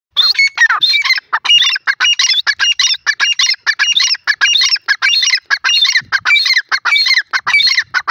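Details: Grey francolin, locally called teetar, calling in a loud, harsh, unbroken series of rapid squawking notes with shrill whistled accents, the phrases tumbling on for the full eight seconds with no other sounds.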